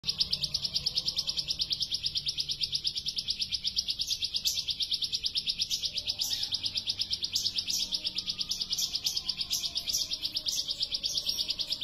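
A bar-winged prinia delivers a long, fast burst of high, sharp chipping notes, rattled out in an even stream, with a few thinner, higher notes over the top.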